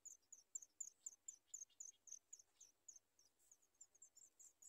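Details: Sooty chat chicks at the nest begging for food: a rapid string of very high, thin chirps, roughly four a second, uneven in loudness, with no other clear sounds.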